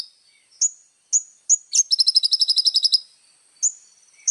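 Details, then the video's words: ['Little spiderhunter giving sharp, high, single notes spaced apart, then a short burst of a fast, very high trill, then more lone sharp notes. The recording is quiet and clean.'] "SUARA BURUNG KOLIBRI NINJA GACOR"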